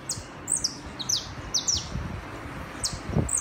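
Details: Saffron finch singing in the city in the chapinha song style: quick, high, thin chirps that slide steeply downward, scattered irregularly over a few seconds above a steady low urban rumble.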